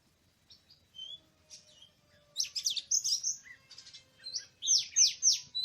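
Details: Wild Oriental magpie-robin (Copsychus saularis) in forest, recorded 24 March 2017 during bird trapping, sings a varied, high-pitched song: sparse thin whistles at first, then bursts of rapid chirps and sharp downward-sweeping notes.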